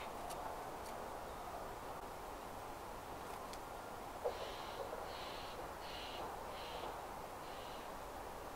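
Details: Black-capped chickadee (Poecile atricapillus) call: a run of five harsh, buzzy 'dee' notes about two-thirds of a second apart, over a steady background rush of wind or distant traffic.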